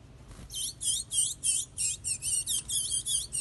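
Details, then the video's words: Chestnut-bellied seed finch, called curió in Brazil, singing a run of about ten evenly spaced high, bright notes, each a quick chirp sliding between tones, in a quiet room. "Curió mais lindo do brasil"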